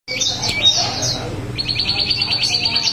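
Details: Wambi singing in the vigorous, continuous 'ngerol' style: a high, rapid run of thin twittering notes, then a fast trilled series of sharp chips repeated several times a second.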